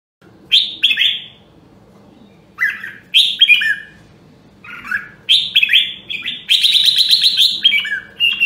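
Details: Caged red-whiskered bulbul from Nam Dong, Hue, Vietnam, in voice training. Short bright warbled phrases sweep down from high to mid pitch in three bursts with pauses, the last a long buzzy rattle. A low steady hum runs underneath.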